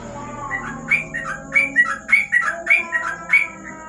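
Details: Sooty-headed bulbul singing in ropel style at night under a lamp: a run of short, bright, slurred whistled notes, about two per second, over a steady high electrical whine and low background hum.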